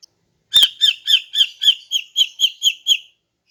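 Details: Female greater green leafbird's morning song, used to lure males. Ten harsh, metallic chatter notes come in a fast, steady series, holding their loudness throughout, preceded by one tiny high chip.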